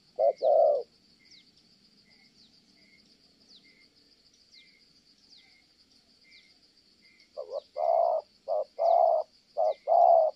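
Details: 'Thổ' style cooing of a Kon Tum spotted dove, Vietnam: one two-part coo, a long silence of about six seconds with faint high ticking insects, then a run of short and long mellow coos resumes.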